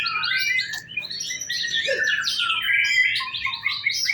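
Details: White-rumped shama singing during a practice singing contest: a fast, dense stream of whistled and chattering phrases, high and varied, with rapid pitch sweeps and overlapping notes throughout.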